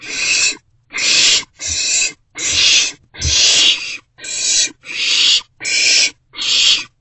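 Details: Owlet in a nest box at night, around 1:40 am on 27 March 2024, being fed a vole by a parent; harsh, hissing, broadband screeches, nine in about seven seconds, each roughly half a second long with brief silent gaps.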